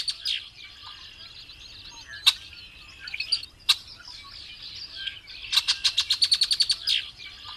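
A variable oriole sings bright, high chattering phrases with a few sharp notes, then a quick run of about a dozen clipped repeated notes, over steady high twittering.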